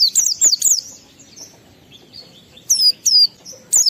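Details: Oriental white-eye singing high, falling whistles in 'ngalas' style to arouse emotion and breeding urge in other white-eyes; a quick trio opens, soft twitters follow, then loud single notes return.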